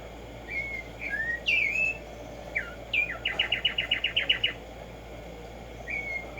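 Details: Black-striped sparrow song in nature, meant to stimulate singing: a few whistled slurred notes, then a rapid even series of about ten bright chips lasting over a second, closing with a single whistled note.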